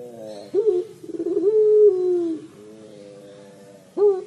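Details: Puter pelung collared dove calling in the 'crying' style: a hoarse rising start, a long, smooth, falling coo, a softer low hum, then another abrupt rising note.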